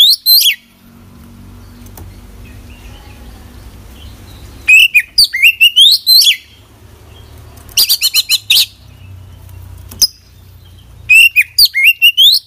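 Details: Oriental magpie-robin in lively, richly filled song: bursts of high twittering and slurred whistles separated by quiet spells, including a dense rattling series of clicks, with steady low hum between phrases.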